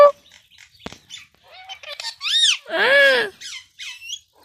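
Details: Talking pet Indian ringneck parakeet producing scattered clicks and squeaks, then loud arched harmonic calls and a harsh raspy mimicked word, amid a person repeating a word to it.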